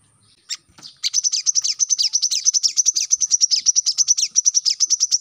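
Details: Brown-throated sunbird song used as a master for caged birds: a few scattered chips, then a sustained fast series of high, slightly varied notes lasting over four seconds.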